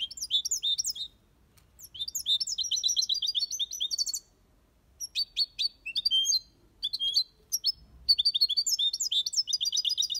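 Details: Aviary European goldfinch performing the Malaga copy song: long flowing runs of liquid twitters and trills, broken by short pauses and sharp single chirps, then a final rapid twittering passage.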